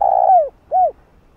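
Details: Spotted dove calling to lure and train a decoy bird: a low, buzzy long coo bending downward, then a single rounded, arched hoot after a short gap, with nothing else audible.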